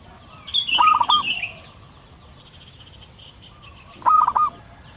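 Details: Wild local zebra dove, a lure recording: two short, rolling cooing phrases with quick trilled notes, a few seconds apart, higher chirps from another bird early on, and a steady hiss behind.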